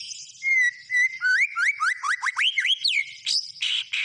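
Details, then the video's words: Singing white-rumped shama: steady pure whistles at the start, followed by a fast series of sharply rising whistled notes that climb higher, ending in harsh buzzy bursts. "SUARA BURUNG MURAI BATU GACOR"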